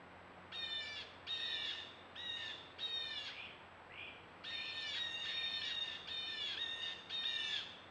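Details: Harsh, raspy squawks from a bird at a birdbath, recorded 6/25. Coarse harmonic calls repeat roughly every half to one second in loose runs over eight seconds, one softer, shorter note in the middle. A low background hum runs throughout.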